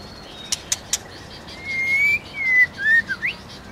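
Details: White-rumped shama male in competitive singing, stirred by a female; three sharp clicks, then a soft phrase of gliding whistled notes rising and dipping.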